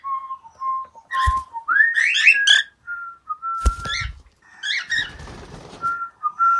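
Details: Cockatiels kept as pets respond cheerfully to whistling. Short flat whistled notes lead into scratchy, rising chirps and squawks, then more level whistled tones. Faint rustling and soft thumps are heard in an indoor room.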